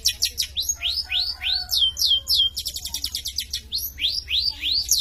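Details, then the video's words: A champion long-tailed shrike in lively song pours out high whistled notes that swoop downward, mixed with a rapid stuttering trill mid-phrase, then more falling whistles. "Suara Kicau Burung cendet juara Gacor"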